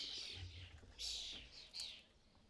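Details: European starling at a UK bird feeder during fledgling season, where parents feed fledglings, giving harsh, raspy, hissing calls in three bursts over a couple of seconds; faint low rumbling underneath.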